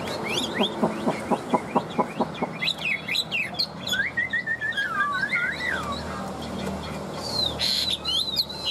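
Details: A tame, newly arrived caged Chinese hwamei with yellow legs and beak, kept over two years, sings loud, varied whistled phrases, some slurred, others rapid and repeated, over a low hum with faint chirps.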